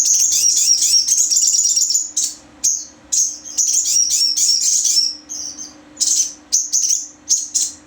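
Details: Sogon, a crimson sunbird, singing a long, very high, rapid twittering song of sweeping trills and chirps in bursts with brief pauses; a steady low electrical hum runs underneath.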